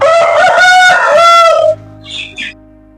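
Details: A fighting rooster (sandai seval) raised at home gives a loud, ringing crow, strong and harmonic-rich, held for nearly two seconds.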